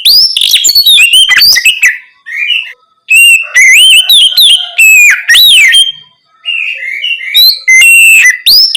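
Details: Oriental magpie-robin singing ngeplong at night to encourage raw birds to respond: a long, varied sequence of sweet whistles, rising slurs and rapid chips, broken by short pauses.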